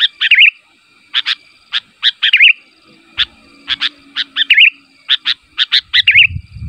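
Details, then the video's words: A sooty-headed bulbul calls to provoke other bulbuls into answering, giving bright, bubbly phrases of quick liquid notes about every second, over a faint hum and low rumbles. "SUARA BURUNG KUTILANG MEMANGGIL, KUTILANG LAIN MANA TAHAN GAK NYAUT"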